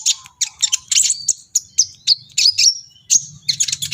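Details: Agitated brown-throated sunbird in full song, pouring out dense high-pitched chips and quick twittering phrases in bursts separated by short gaps. A faint low rumble sits in the background.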